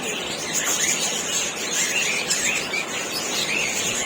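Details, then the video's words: Lovebirds chirping: a dense, continuous chatter of high, thin squeaks and tweets that overlap without pause and hold a steady loudness throughout, with no other sounds standing out. "Love Birds Singing & Chirping Sounds"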